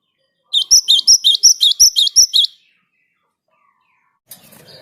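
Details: Java sparrow singing to encourage other birds to sing too: ten crisp, clipped chirps at a steady pace of about five per second, then silence and a brief faint rustle.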